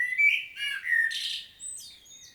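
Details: A common blackbird sings in a field recording from Świnoujście, Poland, dated 25 September 2022: fluted, slurred low notes, a scratchy burst, and thin, high squeaky notes trailing off.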